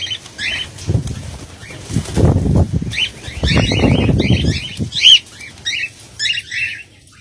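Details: A cockatiel colony, recorded in 2019, chirps steadily in short, high, scratchy notes, with bursts of loud wing-flapping throughout.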